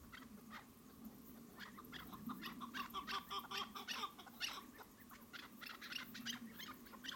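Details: Chukar partridges chattering in a dense, irregular burst of harsh, clipped notes, several overlapping, rising in intensity midway, with a steady low hum underneath.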